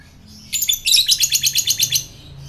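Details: Rapid, even chatter of a fighter lovebird in ngekek style, used to provoke other lovebirds: a burst of about twelve quick harsh high notes over one and a half seconds, rising sharply at the start and fading at the end.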